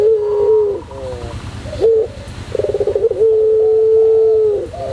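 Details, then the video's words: White Barbary dove in pelung style: a drawn coo, short rising notes, then a rapid stuttering trill opening into a long, steady, flat coo of over a second, over low background hum. "masteran puter pelung putih manggung"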